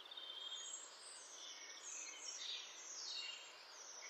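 A European robin sings a soft, high, thin warble of trickling and sliding notes, with a steady outdoor hiss in the background.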